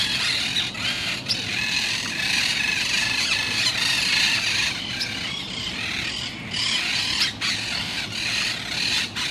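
Monk parakeets keep up a dense, harsh chatter of squawks and shrill screeches from many birds at once, with a faint low rumble underneath.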